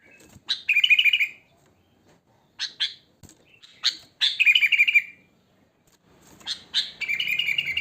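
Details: Wild sooty-headed bulbul whose natural song lures other bulbuls: short, bright, bubbling phrases of quick rolling notes, each phrase about half a second long and separated by silent gaps.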